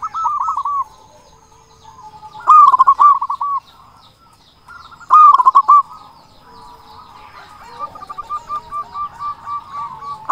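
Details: Local zebra dove used to provoke and excite other doves into singing. It gives short bursts of quick, rolling coo notes separated by quiet gaps of about two seconds, then softer repeated coos.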